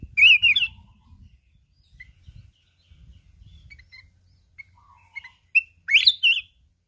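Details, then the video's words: A mountain red-whiskered bulbul sings intensely with wild-type voice while continuously flapping its wings, giving two bursts of bright, warbling, rising-and-falling phrases, with a few soft chirps between over a low rumble. "Chào mào núi hót cực xung"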